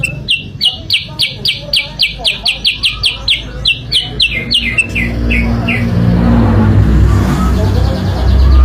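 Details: Sooty-headed bulbul singing as a trapping lure: quick repeated sharp chirps in an even train, gradually falling and fading after about six seconds into a rising rumble of background noise.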